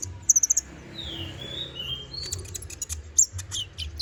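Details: Short konin passage meant for training magpie-robins: a quick burst of high chips, then three smooth falling whistles and scattered clicks above low hum.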